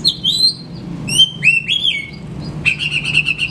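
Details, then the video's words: Oriental magpie-robin song meant to coax silent birds into singing. Bright falling and rising whistles come in pairs, then a rapid buzzy trill of repeated notes for about a second. Low hum underneath. "Sekali Putar Kacer Macet Bunyik Langsung Bukor Bongkar materi"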